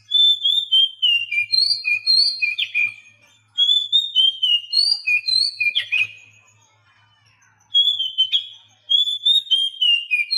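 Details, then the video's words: Whistled song of the Oriental magpie-robin, played to get silent caged birds singing; flowing phrases falling in pitch, broken by emphatic chips, in bursts with a gap near the middle and end. "Masteran Kacer Bisu"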